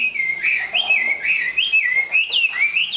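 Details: Chinese hwamei, a large-bodied bird finishing its moult into new plumage, sings loud whistled phrases that swoop up and down, looping and rolling notes strung tightly together for three seconds.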